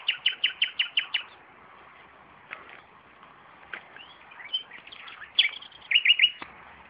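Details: Nightingale singing near tomatoes in a garden, opening with a steady series of seven sharp repeated notes, then scattered clicks and softer notes before a final burst of loud, rich whistled phrases.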